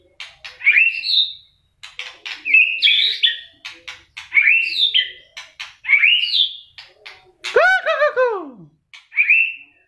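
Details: White-rumped shama singing competition-style, flicking its tail hard: clicking notes lead into bright rising whistled phrases, repeated about every one and a half seconds, with one loud sweeping downward note near the end.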